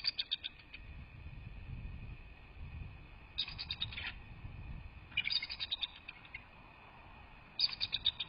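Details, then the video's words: Two wild Bald Eagles vocalizing at their nest, picked up by a live nest cam on 18 December 2023: four bursts of rapid, high, thin chattering notes, spaced roughly two seconds apart, over a low steady background hum. "Taking a listen at both the Bald Eagles vocalizing"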